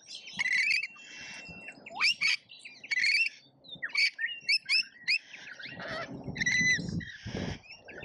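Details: Feeding frenzy of lorikeets at an Australian feeder, feeder camera: sharp screeches mixed with thin rising whistles and chirps, bursting irregularly, then lower rustling and knocking near the end.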